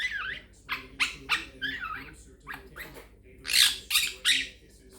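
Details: Pet little Quaker parrot chatting indoors, a bird whose phrases include peek a boo, makin bacon pancakes, give me a kiss and thank you baby; bright, raspy, wavering bursts of squawky chatter follow one another roughly three times a second.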